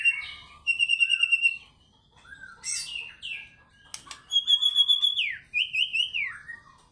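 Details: White-rumped shama song played as a lure to get fighter birds singing: rapid trilled repeated notes, clear whistles sliding down, then long pulsing warbled phrases with harsh chattering between.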